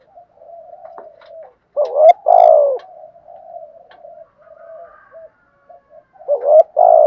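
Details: Low, murmuring coos of a spotted dove in the thúc gù pattern, played to excite a captive decoy bird into calling, broken by two loud paired phrases: a sharp rising note and then a long, husky falling coo.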